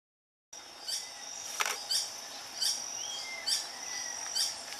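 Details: Green hermit at Hotel Tinamú reserve, Vereda San Peregrino, Manizales, Caldas, Colombia, 2014, giving a thin, high, sharp squeak repeated about every 0.9 seconds over a steady high insect hum.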